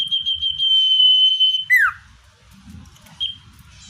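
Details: Natural common iora song used to attract wild birds: brief pulsed notes lead into a sustained piercing whistle lasting about a second, ending in a steep downward slur, with a short whistle afterward.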